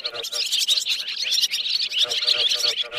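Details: Swiftlets giving roosting calls, used to lure birds into nets: a dense, continuous chorus of high, overlapping twittering chirps from many birds, with no pauses across the recording.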